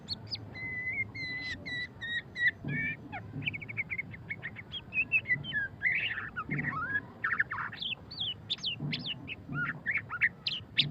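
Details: Murai batu (white-rumped shama) in full ngeriwik song, a dense stream of rapid whistled notes, quick chips and looping slurs delivered almost without pause, with faint low background rumble.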